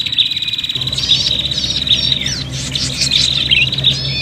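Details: Agitated prinia fighting call used to lure birds: a steady high buzzing rattle with scattered sharp chirps and a falling squeal in the middle, over a soft low hum.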